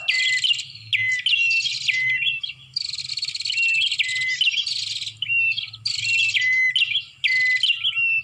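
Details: Lure sound of bar-winged prinia to draw in birds: loud, high, buzzy chirping phrases with sliding whistles dropping at the end, repeated in blocks about every one to two seconds.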